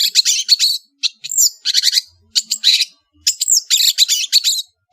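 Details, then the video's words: Madura long-tailed shrike in lively, varied song: dense bursts of scratchy, rattling chatter broken by short pauses, mixed with a few sliding whistled notes that dip in pitch. "SUARA burung CENDET GACOR master full variasi | ASLI cendet MADURA GACOR DOR"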